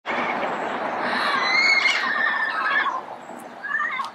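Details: Red-crowned amazon calling in the early morning in Pasadena: a dense, continuous run of overlapping harsh, squealing notes with bright rising whistles, fading lower toward the end.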